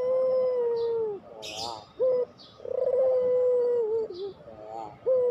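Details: Pelung-style Barbary dove (puter) coo used as a training lure for reluctant doves: a long, level, hollow coo drawn out over a second, then a short rising note, with brief hiss-like noises between.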